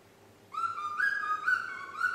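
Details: Young female pet parrot, nine months old, practising the Yankee Doodle tune: a sustained clear whistle holding one pitch, then stepping slightly up and back down over about one and a half seconds.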